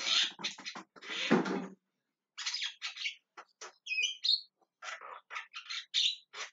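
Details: Javan myna calling with harsh chattering squawks and a few clearer whistled notes; a lower rough buzzing sound is heard at the start before the bird's rasping calls continue.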